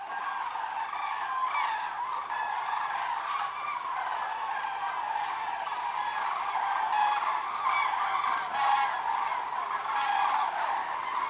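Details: A flock of cranes passing overhead at Kuhhorst, with loud, rolling trumpeted calls overlapping continuously in a dense chorus.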